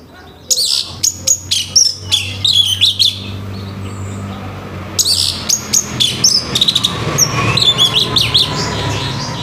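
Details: Orange-headed thrush singing loudly in the morning, a harsh song meant to get other orange-headed thrushes singing. Bursts of sharp, high, clipped notes come in quick clusters, then a rapid chattering run with slurred whistles, over a low steady hum.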